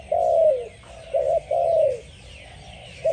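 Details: Spotted dove singing: soft, mellow coos, some drawn out and gently falling at the end, others short, spaced unevenly over a few seconds against a quiet background.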